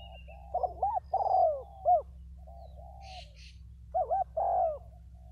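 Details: Two decoy spotted doves give rhythmic coo phrases. Quick paired hooked notes lead into a long, falling coo and a short closing note. Quieter coos fill the pause before the pattern starts again, with a constant low background hum.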